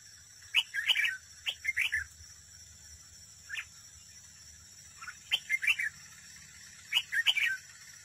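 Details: A red-whiskered bulbul decoy singing in competition at a trap repeats rapid, jumbled whistled phrases about every two seconds, four bursts in all, over a steady high-pitched hiss and low hum.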